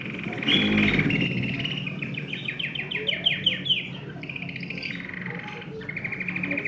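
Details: Canary song to spur other birds into singing: a series of rapid downslurred notes repeated several times a second, followed by even rolling trills, with low background rumble.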